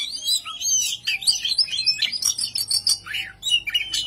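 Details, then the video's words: Kacer, the oriental magpie-robin, performing ngobra to goad rivals: bright slurred whistles mixed with scratchy notes in tight, energetic phrases, a faint low hum in the background. "kacer anda ikut ngobra"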